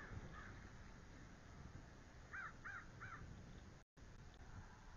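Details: Bald eagles at a nest during a midday fish delivery on 9 March 2013; the female mantles the small fish before an incubation switch. One faint note, then three clear, high, arched chirps in quick succession over a constant low hum.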